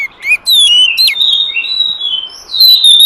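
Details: Oriental magpie-robin, wild forest bird, singing a lure song: a short whistle, then a long sweet phrase of sliding whistles that dips quieter before a bright, loud final whistled run.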